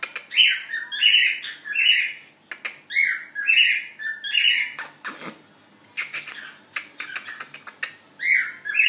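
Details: Cockatiel singing to its mate: bright, chirpy whistled phrases in quick bursts, some rising and warbling, repeated with short pauses, mixed with sharp clicks and taps.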